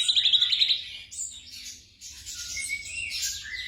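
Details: Song of a black drongo, meant for training caged birds after dark: a quick run of sharp ticking notes, a pause, then scratchy warbled phrases and a rising whistle; faint hum.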